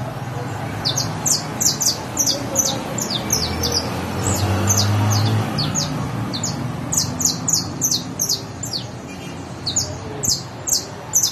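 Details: Long sequence from a canario criollo (saffron finch): clusters of thin, high, falling chirps repeated rapidly in irregular bursts, pausing briefly midway, against low-pitched background noise.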